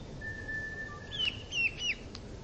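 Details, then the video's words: Eurasian bullfinch: a long, soft, level piping whistle, then a short low note, followed by three clearer, higher whistles that each slur downward, over quiet background hiss. "Bullfinch bird singing"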